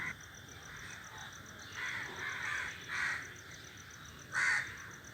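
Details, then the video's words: Several crows sitting together in a tree call with rough, drawn-out caws in a loose run, then one louder caw after a pause. A faint steady hum runs underneath. "crows sitting in the group are making noises are sitting on the tree"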